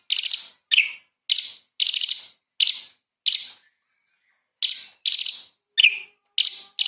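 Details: Light-vented bulbul singing small-bird burst phrases as a training recording for magpie-robins: short, harsh, buzzy chirp bursts, each broken into quick stuttered notes, repeated roughly every half second with one longer pause.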